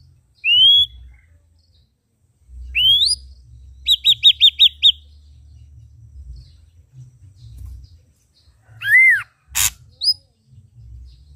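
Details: Red-eyed Ashy drongo singing vigorously: a rising whistled slur, a second upslurred whistle, then a quick run of five identical sharp notes, followed by a harsh arched note and a brief click-like burst, with low background rumble.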